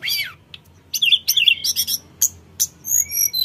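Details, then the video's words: Sooty-headed bulbul, called tledekan gunung, singing energetically as a lure for untrained birds; a down-slurred whistle, then clustered chattering notes and clear, steady high whistles toward the end. "Suara tledekan gunung full gacor‼️100% bikin tledekan bahan cepat nyaut"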